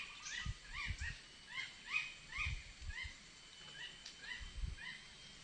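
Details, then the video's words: Red-whiskered bulbul giving a steady series of short, rising-then-falling chirped notes, repeated about twice per second, with soft low thumps beneath. "suaranya burung merah"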